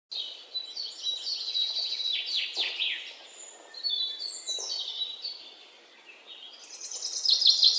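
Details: Birds chirping in a dense chorus, several high twittering and sweeping calls overlapping continuously, with steady broad background noise throughout.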